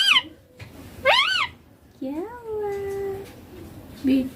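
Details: Green Indian ringneck parakeet, a pet talking bird said to speak 'papa' and 'mummy', giving short arched harmonic words, one sliding down, one rising and falling, then a long level tone and a brief final syllable, indoors.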